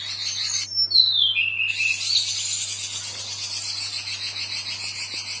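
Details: Female robin calling to the male during lively answering calls: a bright whistle sliding steeply downward and ending in a short lower trill, set against a continuous rhythmic insect-like buzzing.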